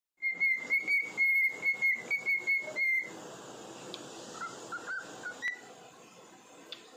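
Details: A male cockatiel that sings daily for his owner whistles a quick run of clear, even notes, then falls quiet.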